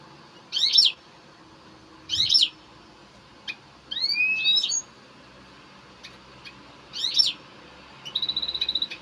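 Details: European goldfinch in excited song: scattered bright chirps and buzzy, twisting high notes with short pauses, ending in a rapid trill.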